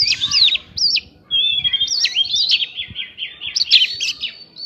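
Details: Oriental magpie-robin lure song with prinia imitations, intended to provoke other birds: high angular whistles, a short pause, then a long run of wavering slurred notes ending in bright chirps.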